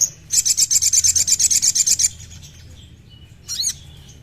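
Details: A crimson sunbird delivers a fast, even, very high trill of about fifteen buzzy pulses over nearly two seconds, then a short downward-sweeping squeak, a sound used to get a captive bird singing.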